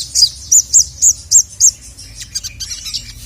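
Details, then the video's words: Agitated Crimson Sunbird, known locally as sogon, calling to a male: six sharp, high arched chirps about three per second, then fainter scratchy twitters, with a faint low hum beneath. "SOGON MANAPUN NGAMUK GACOR LANGSUNG EMOSI dengar masteran burung sogon memanggil jantan ini"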